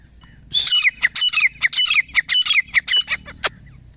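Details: Calling female grey francolin, hunting-lure sound: a fast run of sharp, harsh squawking notes, a dozen or so packed into three seconds, each with a brief downward slur, ending in one isolated note.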